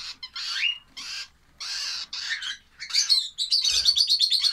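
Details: Lovebird chicks giving raspy calls, some slurring downward, then a rapid chattering series of high, squeaky notes toward the end.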